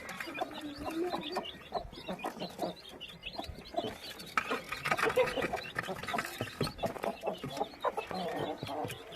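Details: A crowd of chicks peeping and clucking without pause, short high chirps stacked over one another with louder clusters around four to six seconds, steady background murmur underneath.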